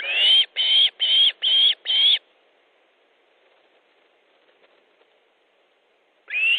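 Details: Fish delivery at an Osprey nest, Estonia, 3 August 2014, mid-afternoon: five rapid, clear rising whistles, about four seconds of silence, then another whistle begins.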